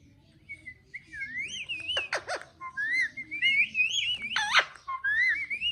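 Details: Pet parrot talking: a stream of wavering, whistle-like warbled syllables rising and falling, broken by two sharp harsh bursts at two seconds and a loud squawk near four and a half seconds.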